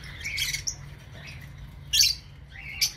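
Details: Lovebirds in an aviary giving shrill, scratchy squawks and chirps in three short bursts, the first longest and the last a brief sharp squeak, over a low steady background hum.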